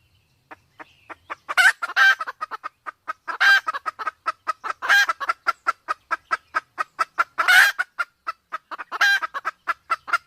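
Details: Male and female Sumatran junglefowl, the female in heat, recorded as a hunting lure: a long, even train of short clucks with four louder, rasping bursts spread through it.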